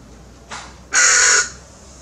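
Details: Tame hooded crow in Maalot-Tarshiha, Israel: a faint short rasp, then one loud harsh caw lasting about half a second, broad and grating across the upper range.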